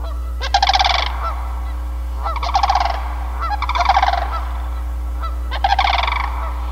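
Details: A pair of Sandhill Cranes (Antigone canadensis) in Sax-Zim Bog on a snowy early-spring day, April 2021, give loud, rolling, trumpeting rattles in four bursts over about seven seconds; the pair, near Canada geese, is not dancing.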